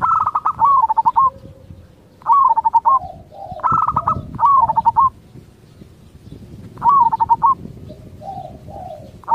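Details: Local zebra dove song meant to draw replies from other zebra doves: short bursts of quick rolling coos, each ending in a hooked upturn, spaced a couple of seconds apart with faint lower coos between.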